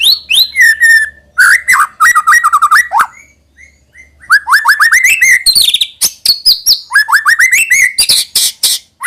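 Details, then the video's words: Shama song, used to coax young birds into regular singing: rapid bursts of upswept whistles, clicks and twittering, broken by a short quiet stretch of soft, sparse notes midway before the vigorous phrases resume. Faint low hum behind. "suara burung MURAI BATU UNTUK MEMANCING MB BAHAN AGAR RAJIN BUNYI DAN GACOOR |SHAMA BIRD"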